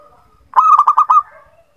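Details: Local zebra dove used as a lure for doves that rarely sing: one clear, loud phrase of five rhythmic, throbbing coos on an even pitch, ending with a faint trailing note.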